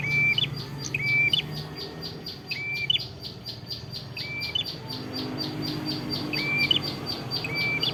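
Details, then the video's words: Red-headed prinia in full song in Kedungprahu village, Padas district, Ngawi, East Java: clear level whistles ending in a high upturned flick, repeated about once a second, with a soft ticking pulse above and faint low hum beneath. "mp3 Suara Prenjak Kepala Merah Gacor cocok untuk masteran atau pikat"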